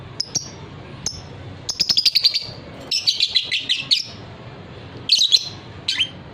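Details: Fighter-type lovebird, a hobby bird prized for long ngekek trilling, gives rapid strings of high, clipped chirps, building into dense chattering runs then a few isolated notes, against soft background hum.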